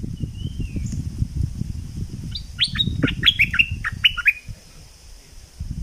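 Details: Thick-billed flowerpecker lure call, southern Thailand: a thin faint whistle, then a string of bright, sharp chirps, some doubled, across about two seconds over steady low rumbling noise.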